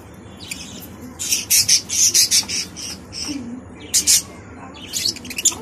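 Budgerigar chicks give harsh, raspy begging calls in short bursts, about eight or nine in quick runs separated by brief pauses, over faint low background noise.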